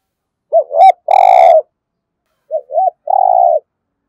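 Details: Spotted dove cooing, a native-voice coo played to stimulate other doves to coo: two soft short notes and a longer held coo, repeated after a pause, clean with no background.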